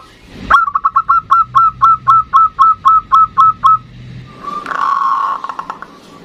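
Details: Female and male zebra doves call back and forth. Around a dozen quick, hollow cooing notes ring out in a steady row, followed by a softer, blurred stretch of trilling.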